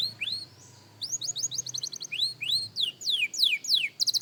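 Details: Young canary rehearsing song: rising slurred whistles and a quick chattering run, then clear falling notes about three per second, ending on a fast high trill, with soft low hum beneath.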